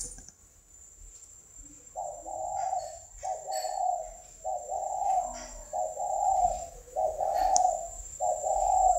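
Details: After a quiet start, a spotted dove gives a steady series of six low, mellow coos roughly a second apart, over a thin continuous high whine.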